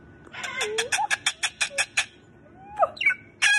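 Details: Pet Moluccan cockatoo, male, indoors at home while his owner hugs and kisses him: a fast run of about eight clipped, harsh pulses, then squeaky sliding notes and a final rasp.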